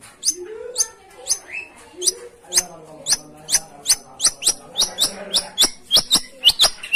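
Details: Long-tailed shrike song played to prompt a silent bird to start singing: a fast run of sharp, high, harsh notes, roughly two per second, with a lower warbled phrase woven in early on.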